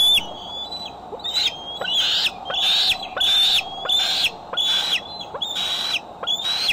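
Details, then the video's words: Calling at the Decorah bald eagle nest on July 6, 2011, afternoon to evening, captured by a nest camera: a series of sharp, high whistled notes, each bending upward, roughly one every 0.7 seconds, with a constant background hum. "Decorah Eagles Coming & Going"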